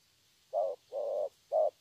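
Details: Young wild-caught spotted dove in thổ voice style: a brief low coo, a longer steady hummed note, then another short coo, in quick succession over a faint hiss.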